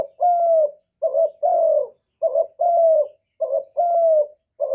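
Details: Spotted dove giving its 'một hậu ròng' calling style: a short clipped coo followed at once by a longer, slightly falling coo, the pair repeated steadily about four times against a silent background.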